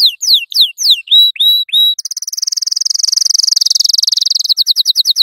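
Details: Yellow canary singing to teach young canaries: a few loud downslurred whistles and flat notes, then a long, very fast, steady rolling trill that slows into distinct chirps at the end.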